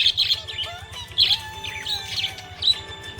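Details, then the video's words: Cheerful budgie chatter: short bright chirps and buzzy high bursts every half second or so, over a soft rhythmic music backing. "Happy budgie chirping sound"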